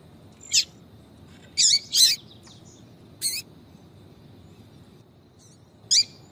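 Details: Papa-capim (yellow-bellied seedeater) female calling to excite males, 'tui tui' style. Scattered bright, high-pitched chirps: one, then a quick pair, another, and a final note after a long pause, against faint steady hiss.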